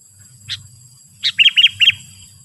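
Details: Sooty-headed bulbul call meant to draw wild bulbuls close: one sharp note, then another followed by three quick arched chirps in a tight run, clear over a quiet background with a steady high-pitched tone.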